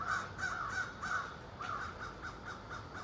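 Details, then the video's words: Ravens, part of a group of more than thirty living in trees across the street, heard in the morning: harsh, rough caws repeated quickly, about three a second, over a steady hiss of background noise. "morning wake up call with ravens"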